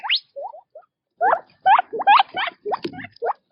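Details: Quail feeding in the wild make a quick, irregular string of short chirps. Brief upswept and bent notes come in clusters, with a soft patter in the background.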